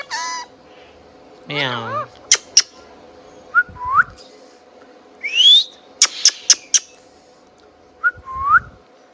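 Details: Indian ringneck parrot indoors producing scattered upward-curving whistles, a short buzzy harmonic note and sharp clicks, separated by pauses with a low constant hum behind.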